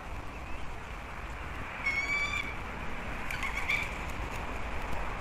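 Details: Bald eagle at a nest on Captiva/Sanibel Island, Florida, on a December morning, on alert at something nearby: two drawn-out, thin, high piping notes about a second apart over steady background hiss.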